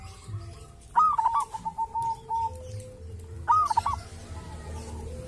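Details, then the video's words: Wild local zebra dove, or perkutut, singing at a sacred grave site with a voice described as distinctive: two cooing phrases a few seconds apart, each a rapid trill of soft notes trailing into longer level coos, low rumble beneath. "perkutut lokal dari MAKAM KERAMAT ‼️punya suara cirihas tersendiri"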